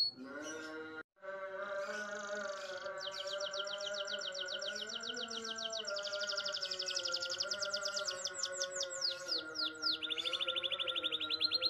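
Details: Caged green canary delivering a continuous rolling song: long rapid trills shifting in speed and pitch, some slurred downward notes, ending in a fast high trill. Constant background music with sustained low tones throughout.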